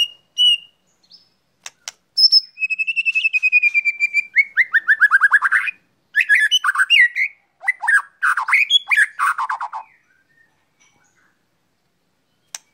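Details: White-rumped shama being sunned, a drawn whistle sliding down into long rapid trills and chattering warbled phrases, then quiet with a single click at the end.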